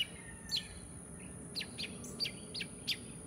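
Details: Sparse bird chirps: about seven short, sharp, high downward notes spaced irregularly over a few seconds against a steady low background hiss.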